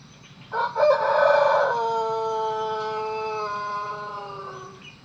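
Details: Pelung chicken rooster crowing: a harsh broken opening, then a very long sustained melodious note held for about three seconds, slowly falling in pitch before fading out.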